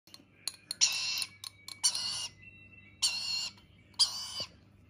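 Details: Rainbow lorikeet chick at feeding time making begging calls: four harsh, raspy, high-pitched bursts, each around half a second long, mixed with clicks and a steady low hum in the background.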